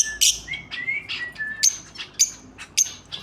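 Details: A lovebird pair mixing short rising whistles with shrill high chirps spaced about half a second apart, fairly irregular.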